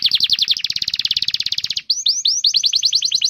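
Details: Master canary song meant to coax young or silent canaries into singing: a fast rattling trill of quick notes, a short break, then a series of rising whistled swoops repeated rapidly.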